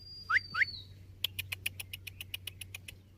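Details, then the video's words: Indian ringneck parakeet giving two quick rising whistles beneath a fading high tone, then a steady series of dry clicks repeated several times a second. "Amazing Ringneck Talking Parrot"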